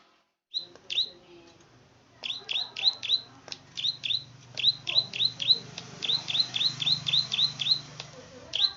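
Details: A plain prinia, a rice-field bird, gives rapid, repeated high clicking notes, about four per second, in loose bursts, with a low hum underneath.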